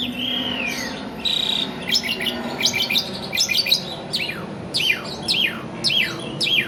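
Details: Caged Asian pied starling in continuous song, starting with a long falling whistle and a held tone, then clicking bursts and repeated downslurred whistles about once a second, with a faint steady hum behind.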